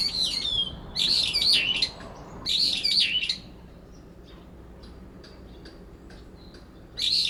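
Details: Brown-eared bulbuls disputing territory in late September, the resident calling to block the other bird's song. Several loud, squealing, up-and-down phrases close together, then a quiet pause and one more burst.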